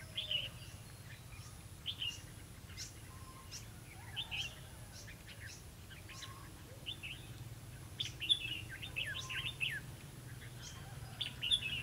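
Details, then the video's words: Red-whiskered bulbul recorded during trapping on 11 November 2016: faint, quick chirped and warbled notes, scattered in short bursts through the recording over a steady low rumble of background noise. "Bẫy chào mào lăng xăng- mau mỏ"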